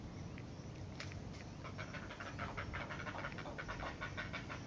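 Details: Great blue heron chicks crowd a parent during feeding, begging with rapid, scratchy, clipped notes that build after the first second into a dense, uneven chatter over a constant low rumble.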